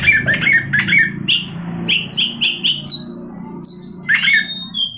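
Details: Oriental magpie-robin repeating short whistled and chattering notes about twice per second, some bright slurs rising at the end, over a low droning background.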